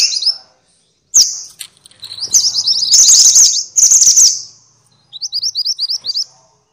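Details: Minivets, known locally as mantenan or sepah, calling noisily as training material for songbirds. Loud, shrill, sizzling chatter builds up, then gives way to a quick run of short, rising, high-pitched whistled notes.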